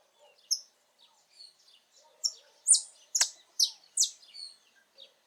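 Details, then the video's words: Saffron finch (Sicalis flaveola) singing free in its natural habitat: scattered high chirps build into a run of about six sharp, bright notes near the middle, then trail off into faint twitters. "Canário da terra com lindo canto cantando muito na natureza"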